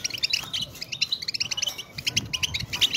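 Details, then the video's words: European goldfinch being stimulated to sing, in Turkey: rapid tinkling, twittering high notes in quick bursts, over a murmuring low background noise. "muhteşem saka huylandırma 2023"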